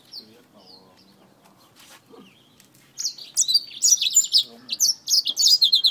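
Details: Black-throated finch fighting a finger; a few soft high notes and faint low murmurs at first, then about three seconds of loud, rapid, high chirps and squeaks.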